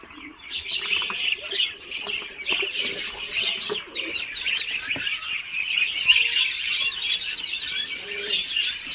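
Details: Muscovy ducklings hatching inside an incubator after 28 days of incubation, giving a dense, continuous chorus of high, thin peeps and chirps that overlap without pause, with occasional soft thumps and rustles.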